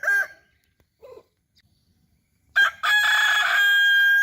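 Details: Kukuak Balenggek chicken kept as a hobby: a short harmonic crow note, a brief fainter note, a pause, then a long loud ringing crow with a rich stack of harmonics held for over a second and a half.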